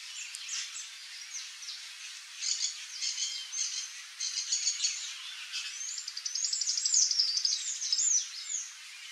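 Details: Palm tanager (Thraupis palmarum) in Brazil singing a fast, squeaky twittering of high thin notes, with a quick chattering run and upswept squeals near the end, over faint background hiss.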